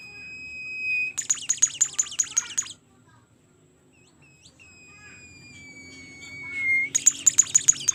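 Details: Bimoli bird singing energetically: a long thin steady whistle, then a burst of about eight rapid high ticking notes over one and a half seconds, a slowly falling whistle, and another ticking burst at the end; faint low hum underneath.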